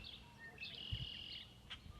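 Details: Red-winged blackbird at a pond in May, birds thought to be starting to nest; a short sharp note, then a buzzy, sustained trill lasting under a second, over faint background noise.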